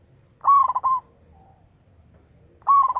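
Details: Local zebra dove with a big, lively voice, used as a decoy. A full coo rises, then breaks into rapid pulses and ends on a held note. A second coo begins at the close, with quiet background between them.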